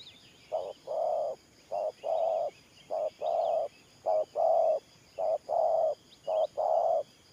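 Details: Spotted dove decoy, thổ pha nước gù style, repeats short-then-long hollow coos six times at a steady pace, while other small birds chirp quietly in the distance.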